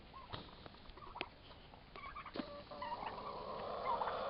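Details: Young turkey toms about four months old caught mid-fight, giving scattered short clucks and yelps that build into a longer, rough, wavering call near the end.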